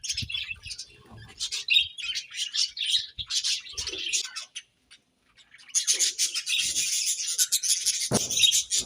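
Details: Morning chatter of budgies, a run of quick high chirps and rasping warbles, a brief silence midway, then a louder, noisier burst of overlapping chirps with one sharp knock near the end.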